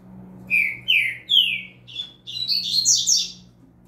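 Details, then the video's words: Novice double-collared seedeater singing for training: three clear down-slurred whistles, a short note, then a rich burst of buzzy, rapid high twittering. "Papacapim Novato Cantando Firme Top Pra Treino de Fibra!!!"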